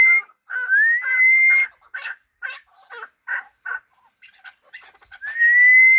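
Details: Chukar partridge of a hybrid fighting type: a long rising whistle opens, followed by a run of rough, clipped chuk notes at an uneven pace, then another drawn-out whistled tone at the close.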